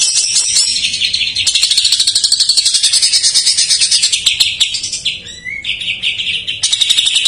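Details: Greater green leafbird isian song imitating jamtrok, meant as a lure for untrained or stalled birds; rapid buzzy high trills, a short dip with a sliding whistled note, then the shrill pulsing chatter returns.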